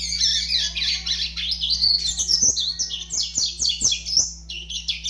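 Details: Double-collared seedeater youngster, five months old, singing a continuous high warble of hurried chips and buzzy slurs with no break, a faint steady hum below.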